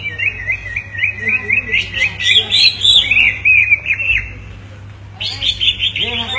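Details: Two greater green leafbirds answering each other in song: rapid, varied warbling and whistled phrases, trilled runs and slurred notes, a brief pause, then a bright burst of chattering notes; low steady hum beneath.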